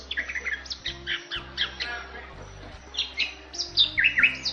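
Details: Bali myna (jalak Bali) from Bali: a steady run of harsh squawks, chattering notes and bright whistled chirps, with louder upward-sweeping whistles near the end and a faint low hum beneath.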